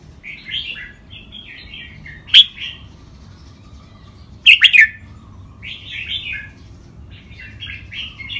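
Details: Two caged red-whiskered bulbuls in a training song session, styles named rik, boen, lak wai, mae bot and nap dok. Two sharp whistled bursts stand out over continuous quieter chattering warbles.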